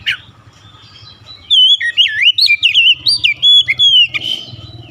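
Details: After a quiet opening, an Oriental magpie-robin bursts into a rapid string of rich whistles that swoop and twist, with short notes in quick succession.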